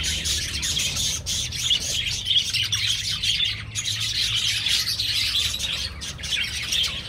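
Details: Budgerigar colony in an aviary: a dense, continuous wash of high chirps and warbling chatter from many birds at once, with a steady low hum underneath.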